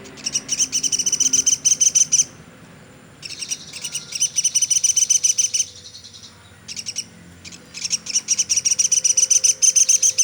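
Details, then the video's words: Velvet-fronted nuthatch, called pelatuk sampit, calling nonstop for songbird training: three bursts of rapid, high, piercing chip notes, each lasting two to three seconds, separated by brief quiet gaps. "Burung Platuk sampit dasyat bunyi nonstop"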